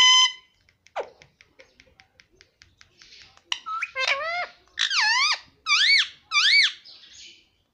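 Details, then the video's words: Pet parrot mimicking words indoors: a string of short ticking clicks, then loud harmonic squawked syllables rising and falling, spaced under a second apart. "parrot talking papa || parrot talking mummy"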